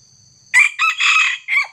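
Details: Red junglefowl crowing while wild junglefowl are being trapped with a decoy bird, with a young wild junglefowl involved: a loud, hoarse four-part crow of about 1.2 seconds. It opens with a sharp note, runs into a drawn-out middle and ends with a short clipped note, over a faint steady high whine.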